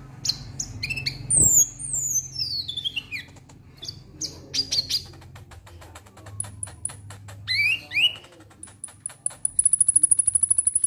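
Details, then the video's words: Konin lovebird in 'ngek ngek' style, used to trigger song in other birds: varied sharp chirps and downward-sweeping squeaky notes over a steady low hum, ending in a fast run of high ticking notes. "Konin Ngek Ngek Ampuh Pancing Bunyi"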